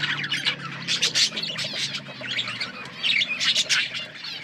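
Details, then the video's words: Budgerigars chirp in clustered bursts of bright, squeaky, slightly buzzy notes, with brief softer spells between the groups and a faint low hum. "Beautiful budgies colour birds chirping sounds"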